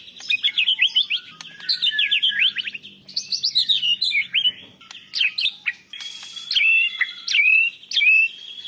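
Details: White-rumped shama, a championship-quality bird, singing a varied song with fast whistled trills, rising and falling slurred notes and sharp chips; imitated phrases are included, used as a master recording for training other songbirds.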